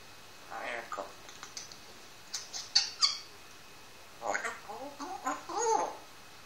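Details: Pet Grey parrot, aged one year, indoors: soft clicks and ticks first, then a cluster of harmonic, squawky syllables with wavering pitch near the end.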